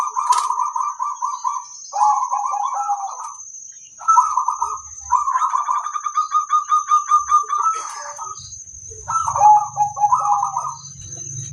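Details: Singing local zebra dove, recorded as a master song: near-continuous runs of quick, bubbling coo phrases, one stretch a steady rapid series of notes, with a constant high electronic whine and low rumble near the end.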